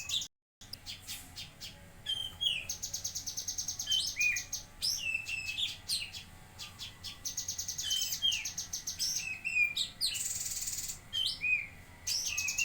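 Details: Jambi cucak kinoi, or lesser green leafbird, in full song: long runs of rapid repeated ticking notes mixed with bent whistles and hissing buzzy bursts, nearly continuous for about twelve seconds.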